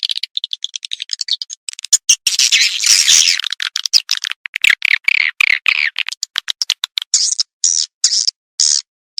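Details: Edible-nest swiftlet lure call played by a tweeter speaker: quick chirps, a louder rasping stretch, falling buzzy notes, and higher clipped chirps toward the end.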